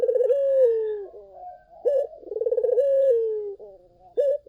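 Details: Strong-voiced Barbary dove used as a lure: a mellow falling coo, a short sharp note, then a trembling pulsed roll that stretches into a long smooth descending tone, all clear and close.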